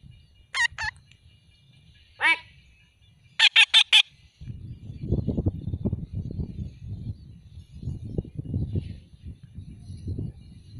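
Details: Alexandrine parakeet giving loud, harsh squawks rich in overtones: a quick double call, a single rasping note, then four rapid screeches in a row, followed by a steady low rumble in the background.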